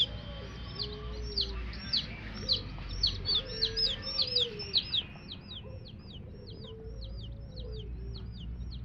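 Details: Baby chicks chirping: rapid high, downward-slurred peeps repeated about twice a second, a lower cluck-like note now and then, over steady background noise.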